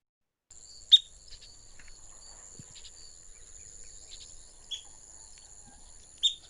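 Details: Recording of a Long-billed Dowitcher giving three sharp, high single keek notes, higher pitched than the Short-billed Dowitcher's toot-toot-toot, irregularly spaced, over a steady high insect-like whine.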